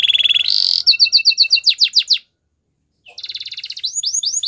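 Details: Gloster canary singing a rapid song: a dense buzzy trill, then rows of quick rising-falling whistled notes, sweeping chirps, a brief pause, and another trill ending in looping slurred notes.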